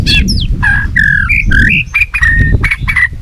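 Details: A tail-flicking white-rumped shama in competitive song, mixing short, harsh, buzzy notes with clear, steady whistled notes in quick succession over a constant low rumble.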